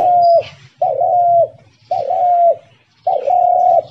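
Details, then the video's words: Spotted dove kept as a caged decoy bird in a trap cage, calling: four clear, level hooting coos, each about half a second long, spaced under a second apart, with a low hum beneath. "শিকারি তিলা ঘুঘু পাখির ডাক 😍 ফাঁদ খাঁচার ঘুঘু পাখি"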